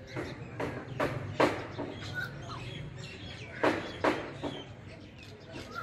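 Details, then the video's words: Rufous treepie (Dendrocitta vagabunda) singing loudly in the jungle: harsh, rasping notes in irregular bursts, about two or three a second, with a few brief whistled notes and a low background hum. "Rufous Treepie Dendrocitta vagabunda Singing In Loud Sound"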